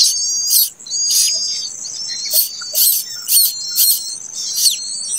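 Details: Begging of a late-hatched plaintive cuckoo chick: rough hissing bursts at irregular intervals, with a high, thin, wavering whistle in between and a few soft low notes.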